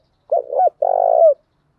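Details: Spotted dove used to call in wild doves, giving one clear phrase: a paired short coo followed by a longer throbbing hoot that dips at its close, no other sounds.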